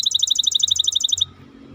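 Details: Maestro bird giving a rapid, regular high trill of sharp pulses for just over a second, ending suddenly, with light low-pitched hum behind.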